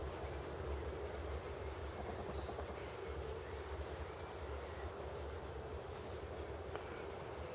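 Blue-throated Goldentail gives very high, thin squeaky chips in quick bursts over a few seconds, above a steady low rumble of wind or distant traffic.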